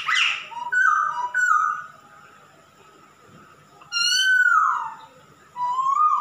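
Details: Lively song of a male masked laughingthrush: a harsh opening note sliding into clear falling whistles, a quiet pause, then a long loud downslurred whistle and a closing rising note.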